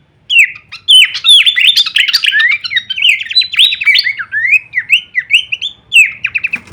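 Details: Full-variation kleperan song of Horsfield's babbler, used to train songbirds: a lively, near-continuous run of rising and falling whistles and quick chips, ending in a few fainter slurred notes.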